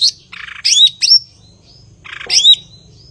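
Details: Blue-winged leafbird, known locally as cucak ijo, singing in full voice: a scratchy buzzy burst, then bright upslurred whistles ending in clear drawn-out notes, a pause, then another buzzy burst and whistled phrase.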